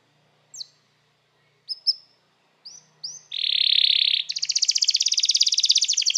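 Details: Canary calling other canaries to sing, used as training song: isolated short high chirps separated by pauses, then a continuous buzzy trill followed by a fast pulsing rattle; faint low hum underneath.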